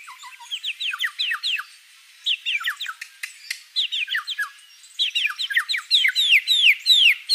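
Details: White-rumped shama in lively song with many varied phrases: bursts of quick, sharply falling and rising whistled notes, separated by brief pauses and a few clicks, becoming fuller and denser at the close.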